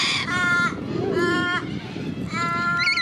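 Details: A corella in Sydney's Centennial Park, where corellas seem particularly aggressive, gives three harsh, grating screeches, each about half a second long and roughly a second apart, over a low background rumble.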